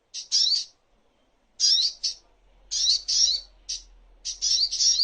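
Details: Crimson sunbird (sogok ontong) master recording for songbird training: clusters of high, scratchy chirps in irregular bursts, with a faint low hum in the background.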